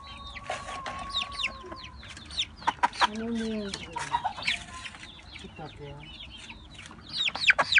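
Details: Brahma chickens, a cockerel, young hens and their chicks: many high, down-slurred peeping calls overlap throughout, with lower clucking notes and a person speaking in between.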